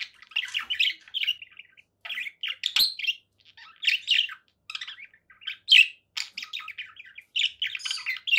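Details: Conure parakeet giving a steady run of raspy, chattering squawks in quick bursts roughly every half second, with a few sharper screeching notes standing out.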